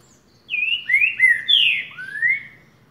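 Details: Green-winged saltator, a 'boca mole' type singer, giving a loud phrase of five clear whistled notes, mostly descending slurs with a final rising whistle, over a quiet background.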